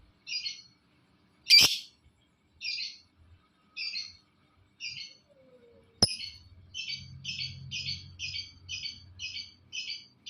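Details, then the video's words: Lovebird calling to prompt other lovebirds to call: short, double-toned, high notes repeated, at first about once a second and then faster, with one loud sharp chirp and a faint low hum. "Suaranya Memancing Labet lain Ikut Bunyi"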